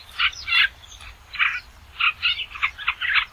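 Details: Basra reed warbler singing: harsh, chattering, croaky notes in uneven bursts, some paired, with short gaps between phrases, over a faint low rumble.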